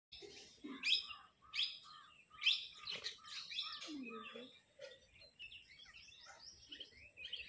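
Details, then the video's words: Flock of parrots talking among themselves and arguing over food: a busy stream of harsh, high chirps and squeaky notes overlapping at an irregular pace, with a few lower, hoarse calls underneath. "flock of parrot talking among themselves and arruging over food"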